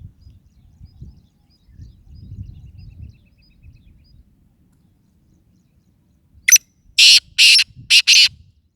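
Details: Black francolin kept as a pet in training: after several seconds of faint low rumbling, a loud harsh grating call bursts out near the end in four rasping notes, the last three close together.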